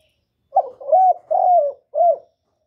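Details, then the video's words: Spotted dove used as a lure bird, giving one low hoarse coo phrase of four notes, a short rough opener, two longer level hoots and a falling final coo, in a quiet setting. "CU GÁY GỌI + GÙ + THÚC CỰC KỲ HAY, Cu Gáy mồi hay, tiếng cu kích bổi, cu đất kích mồi"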